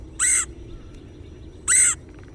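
Red-headed Woodpecker giving two harsh, raspy calls, each about a quarter-second long and about one and a half seconds apart, over a quiet low rumble.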